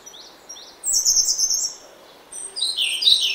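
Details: Two loud, bright, high warbling phrases from a grey-backed thrush at dawn in oak woodland, preceded by a few soft rising chirps.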